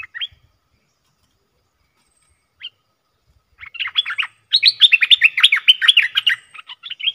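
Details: Bulbul calling in a recording made to lure a rival to fight: a few isolated chirps, then a lively rapid chattering of bubbly, warbled notes lasting several seconds.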